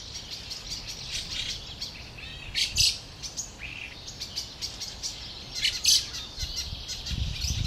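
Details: Young fieldfare waiting for parents to arrive with food, recorded 20 May 2013; two strong harsh, wheezy bursts a few seconds apart stand out above softer scattered chirps and faint rustling.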